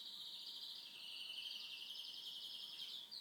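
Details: Pet canary singing at home, one sustained high rolling trill that holds steady and drifts slightly higher toward the end, with a brief break near the finish.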